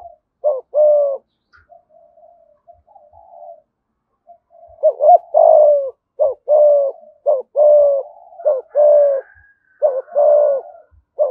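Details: Spotted dove, Đồng Nai, giving 'thúc gù giọng thổ' cooing: quiet low mutterings at first, then a steady run of paired coos, a quick wavering note and a drawn-out descending hoot, roughly once a second.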